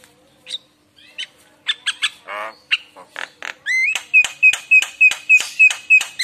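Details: Lure song of a Javan myna, full of varied fill-in phrases to draw replies from other mynas: scattered squeaks and a grating rattle, building into steady repeated whistled notes about three per second.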